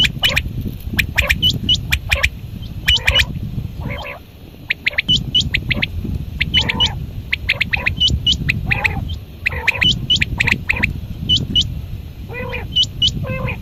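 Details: Quail calling at dawn, locally called batair: sharp, high chirping notes in quick bursts with squawky lower calls, repeated irregularly over steady low rumbling background noise.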